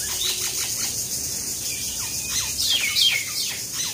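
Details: Common myna (shalik) birds fighting at Talepur, Kalatia, Keraniganj, Dhaka, Bangladesh; rapid harsh chattering and downslurred squawks in dense overlapping bursts, with steady background hiss.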